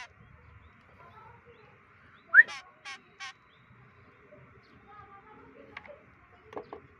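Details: Kekep, a white-breasted woodswallow, on the 25th day of free-flight training gives one loud rising slurred note followed by two harsh buzzy notes, then faint scattered clicks against a constant hum.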